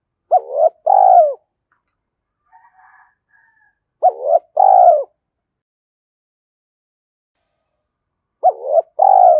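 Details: Spotted dove coo used to lure wild doves. Three repeated phrases roughly four seconds apart, each a quick upswept note followed by a drawn-out, falling, hollow coo, with faint soft murmurs between.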